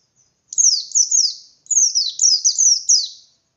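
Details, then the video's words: Captive pleci white-eye of the Bustomi type singing 'ngalas', used to rouse other white-eyes into answering: two bursts of rapid high-pitched downslurred chirps, three then six, each note sliding steeply downward, bright and clean. "Burung Pleci Gacor Pendongkrak Emosi Pleci Lain"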